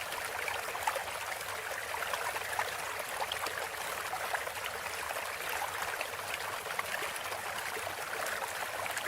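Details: Even crackling hiss like running water fills the recording, with no clear animal call.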